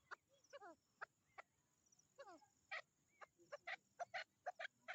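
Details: Female chukar partridge in mating season giving a series of short, sharp calls, some with rapid descending chattering notes, repeated irregularly about twice a second, with a faint steady high tone behind.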